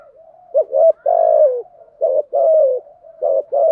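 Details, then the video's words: Spotted dove decoy call used to lure wild doves, in a mixed urging and calling style: low coo phrases, each a short note pair followed by a long rolling falling coo, repeated three times. "Tiếng chim cu gáy mồi giọng lôi cuốn hấp dẫn đủ bài[ THÚC GÙ , GÁY GỌI ]"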